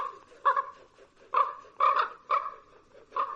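A common raven gives five hoarse, harmonic croaks in a little over three seconds, spaced unevenly, some doubled, against a quiet background.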